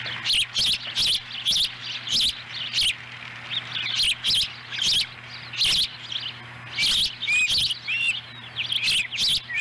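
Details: Osprey chirps at a Lolo, Montana nest on July 18, 2017, while a chick eats a small fish brought by its mother. Rapid piercing chirps form clustered bursts with brief gaps, and a faint hum runs underneath.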